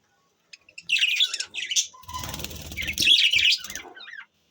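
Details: Chirping budgies produce a continuous, squeaky, warbling chatter with a brief fluttering of wings in the middle.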